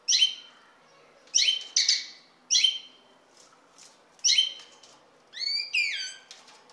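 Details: Common linnet calling: a series of short, bright twittering chirps, some in quick doublets, ending in a few downslurred notes. Quiet background.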